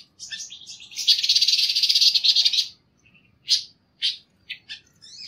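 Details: Panca warna bird song used as a training recording: a dense buzzy trill held for about a second and a half, followed after a pause by four short, harsh buzzy bursts.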